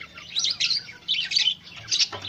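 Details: Breeding white zebra finches make short nasal chirping bursts, four or five clusters in quick succession over a quiet low hum.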